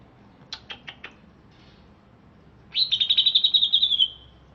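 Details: Greater green leafbird, a caged bird originally from Alas Purwo, Banyuwangi, singing just after being bathed: four quick high chirps, a pause, then a fast, even, buzzy chattering trill for about a second and a half.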